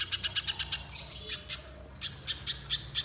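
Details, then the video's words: Short stretch of little spiderhunter lure song: a quick run of sharp high chips, then a pause, then slower, spaced single notes. "Pancingan Pijantung Pisang Agar Bunyi Gacor Konslet Mbeset Panjang"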